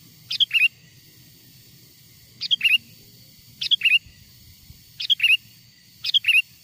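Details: Song of a wild sooty-headed bulbul, used to call wild bulbuls in: five repeated bright phrases, each a high note, a liquid dip and a short trill, arriving roughly every second and a quarter.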